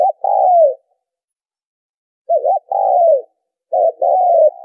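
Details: Spotted dove coos played to attract birds for trapping: three phrases, each a brief wavering note joined to a longer downward-curving coo, evenly spaced with silent gaps between.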